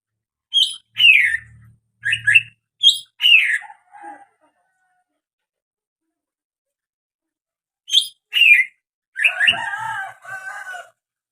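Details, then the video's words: Unusual greater green leafbird calls: sharp descending chirps in quick pairs, a pause, then more chirps and a rough warbled phrase, with a faint low rumble under some notes. "SUARA ANEH BURUNG CUCAK HIJAU"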